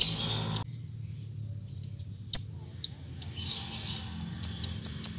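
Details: Lovebird giving the ngetik call meant to provoke a rival into answering: a few scattered sharp high clicks, then a steady series of piercing chips about five per second.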